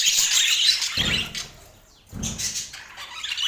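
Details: Short burst of budgie chirping in Portland, high twittering broken by two dull, low thumping noises and a brief near-silent gap before the chatter resumes.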